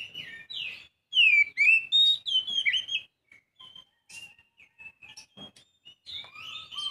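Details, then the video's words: A young Oriental magpie-robin delivers a burst of rich, sweeping whistles and quick slurred notes, then drops to scattered, softer single chirps and short whistles before a final rising phrase. "Aksi kacer muda"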